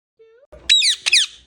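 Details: Pet male Indian ringneck parakeet talking indoors: two quick, high, squeaky, harmonic-rich syllables in close succession, the second rising and falling, after a faint thin tone and a soft knock.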